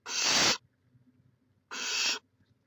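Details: Barn owl at the nest in Chula Vista, California, live camera, May 2017: two loud, harsh, breathy hisses about half a second each, one and a half seconds apart, in near silence.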